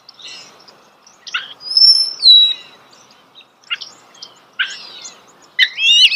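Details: Close-up starling song: sharp downslurred chips, a loud piercing whistle sliding downward, and twisting squeaky phrases with quiet gaps between them.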